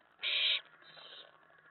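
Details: An owlet inside a nest box at night, excited by an owl arriving at the tray after a mouse delivery, lets out one loud, harsh hissing screech lasting a third of a second, followed by a fainter breathy trail.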